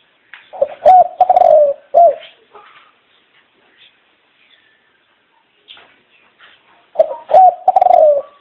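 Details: Ornamental dove kept at home gives a low rolling coo phrase, falls quiet for several seconds, then repeats the same pattern: a short clipped note, then a drawn-out, gently falling coo.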